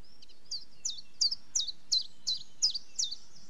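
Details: Common chiffchaff song: eight high, clipped chiff notes repeated steadily about every third of a second, each dipping sharply in pitch, against faint low background hiss.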